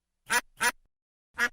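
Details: Duck quacking: two harsh nasal quacks in quick succession, a pause of about two thirds of a second, then a third quack, with silence between.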